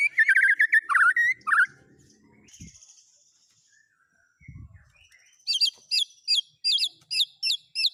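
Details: Murai batu, the white-rumped shama, singing isian mimicry of other birds: fast whistled trills open, a quiet pause follows, then sharp looping chirps repeated roughly three times a second.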